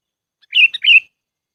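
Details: Sooty-headed bulbul lure call used for bird trapping: one short bubbly phrase of two bright, slightly warbling notes with a tiny note between, over a clean, silent background.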